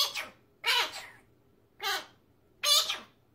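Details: Pet male magpie, said to mimic human speech such as "peach come here"; three harsh, speech-like bursts with stacked harmonics, each under half a second, spaced roughly a second apart against a quiet background.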